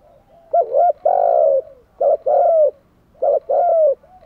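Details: Spotted dove used as a decoy for wild doves, cooing three times in a row. Each phrase is a clipped double note and a longer gliding coo, repeated about every one and a half seconds.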